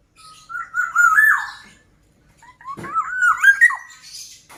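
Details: Singing black-naped oriole: two mellow, rolling whistled phrases separated by a short silence, each climbing in wavy steps and ending with a brighter accented note.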